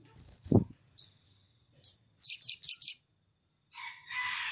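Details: Sooty-headed bulbul (sogon) singing in the morning as a lure for other birds: separate sharp high chips, then four quick buzzy high pulses, with a low knock at the start and a scratchy hiss at the end.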